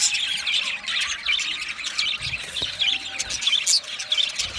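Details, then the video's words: Australian budgerigars singing together in a continuous scratchy, high warble of overlapping chirps, squeaks and rasping notes, steady in loudness throughout. "Budgie singing and chirping sounds | Australian Budgie sounds"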